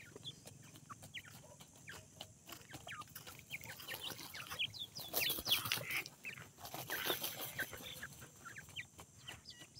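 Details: Young grey francolin, or teetar, chicks peeping: many brief high chirps, some rising and some falling, in a loose stream, with a burst of broadband noise in the middle over a low background hum.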